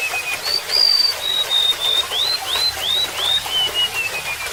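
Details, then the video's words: Singing golden-bellied gerygone (remetuk laut): a long level high whistle, then looping upslurred notes sinking steadily in pitch, accompanied by trickling water. "SUARA BURUNG REMETUK LAUT"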